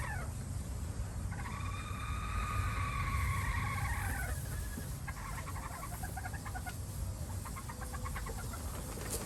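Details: Red junglefowl in Laos: a drawn-out harmonic crowing call lasting about three seconds, ending in a falling slur, followed by short clucking notes, over a steady low rumbling background.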